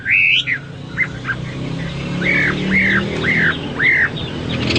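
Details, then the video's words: Hwamei singing in bursts: a loud slurred whistle, then a row of arched, down-curving whistled notes about every half second, over a steady low rumble like passing traffic. "Burung Hoa Mi gacor"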